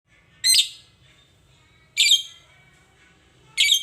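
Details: Lovebird, from a clip about getting a rarely calling lovebird to sing actively (gacor): three harsh, buzzy high chirps, each brief and falling slightly, spaced about one and a half seconds apart over a quiet low hum.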